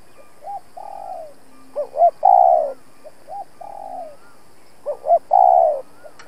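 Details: Spotted dove used as a decoy for trapping, cooing to challenge rival males: two short rising notes then a long, falling hoarse coo, repeated about every three seconds, with a fainter second coo phrase between them.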